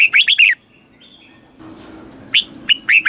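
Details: Thai caged red-whiskered bulbul, southern master-style song for rousing and teaching birds: a quick run of four looping whistles, a pause with soft rustling, then sharp rising notes starting another phrase.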